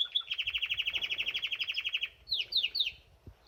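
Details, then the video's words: Canary singing while bathing in a birdbath: a fast, even trill of about two seconds of rapidly repeated notes, then a few rising, swept whistles, with faint splashing and low background noise. "Birdbath Canary"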